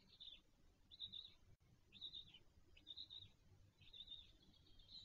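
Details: The latest-hatched black stork chick on a webcam nest at Wolsztyn, Poland, on 17 June 2024 gives thin, high, slightly wheezy squeaks, about one per second, over a steady low background rumble.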